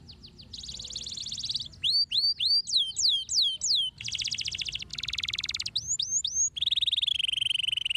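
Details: Canary song played to stimulate canaries to sing: buzzy high rattles alternating with rapid series of sharp down-slurred whistled notes, then a steady rolling trill at the end.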